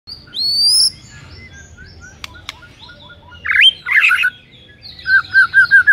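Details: White-rumped shama song used in the morning to provoke a rival shama to sing: high whistled slurs, sharp clicks, a burst of rich warbled notes, then a string of rapid repeated rolling phrases.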